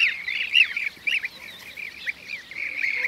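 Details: Blue-cheeked bee-eater, shown with a bee caught as prey: rolling, trilled chirps, repeated in quick bursts, some notes rising and falling, with brief gaps between calls.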